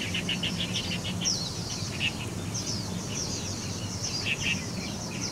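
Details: Probable Tiger shrike at Metropolitan Park, Taichung City, Taiwan, on 10 November 2021, giving rapid, scratchy chips and chattering notes, several per second, some sharp and high, over a steady low background rumble.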